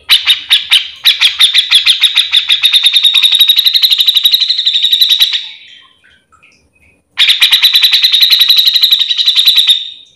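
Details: Grey-cheeked bulbul singing at full, unbroken intensity to train or provoke other grey-cheeked bulbuls: a few separate harsh notes, then a long, very rapid buzzy rattle, a pause of over a second, and another sustained rattle.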